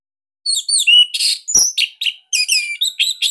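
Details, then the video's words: Captive-training master song of an orange-headed thrush from Bali, described as unique, tight and loud: a fast, varied jumble of high whistles, buzzy notes and sharp chirps with barely a pause. "Kicauan ANIS MERAH Ini Cocok Buat Masteran Burung Sahabat Dirumah."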